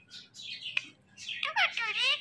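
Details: Talking Indian ringneck parrot kept as a pet chatters in high, scratchy, speech-like bursts that build into a louder run of quick, wavering notes near the end.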